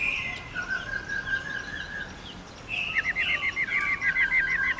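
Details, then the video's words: Female black-throated laughingthrush giving a long 'ro ro' song meant to stimulate males to sing: a sustained whistled tone, then a rapid series of short repeated whistled notes with a steady lower whistle beneath. "Khướu mái RO RO dài kích trống cực căng lửa"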